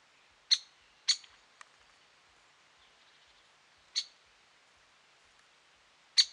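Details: Great spotted woodpecker at Lake Tavatuy, Middle Urals, on 17 June 2017: sharp, high 'kik' notes, singly at uneven intervals of one to two seconds, against a quiet background.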